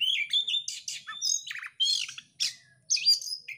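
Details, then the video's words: Oriental magpie-robin, a caged kacer singing vigorously with its tail spread: rich varied phrases of whistles, slurred notes and harsh buzzy bursts, delivered in quick separate bursts with brief pauses. "kacer gacor bukak ekor"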